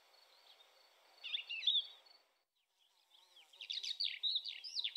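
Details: Thekla's lark, recorded 25 April 2021 in Spain's lynx territory (Territorio Lince), gives quick, warbling phrases of high, twisting notes in two bursts separated by a short pause, with a faint background hiss.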